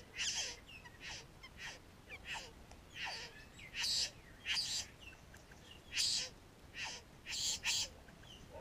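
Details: Satin bowerbirds visiting a garden to raid pet food, recorded with a GoPro Hero 3 near a bower: soft harsh, hissing bursts repeated irregularly about once a second over a noisy background.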